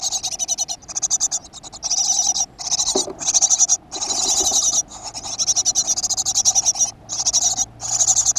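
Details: Great tit at a nest box in a school garden, 7 June 2015: loud, continuous harsh hissing-rasping pulses in long rapid trains, broken by brief gaps, with faint scraping in between.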